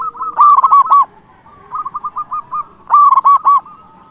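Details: Zebra dove of local stock singing loudly to rouse rivals: two powerful phrases of looped, ringing coos separated by a run of soft, quick repeated coo notes at steady pitch.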